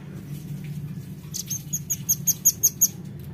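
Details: Velvet-fronted nuthatch lure call: a run of about seven sharp, very high chips, evenly spaced and growing louder, over a low steady hum.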